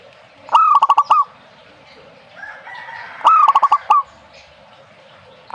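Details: Zebra dove repeats its staccato rolling coo about every three seconds, each phrase a bright onset then rapid pulsed notes ending in a longer note. A softer call is heard between phrases, and a new phrase begins at the close.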